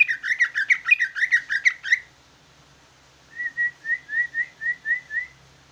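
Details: Large caged greater green leafbird singing in a bulbul-like style: a fast run of chattering whistled notes, a pause, then a steadier series of short, slurred, rising whistles.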